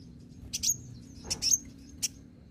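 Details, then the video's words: Olive-backed sunbird, green-plumaged bird, singing lively as a lure to make other sunbirds answer: a few sharp, very high chirps and short thin whistles spaced over two seconds against quiet low hum. "kolibri ninja (konin) ijoan gacor pancingan ampuh konin bahan langsung nyautt"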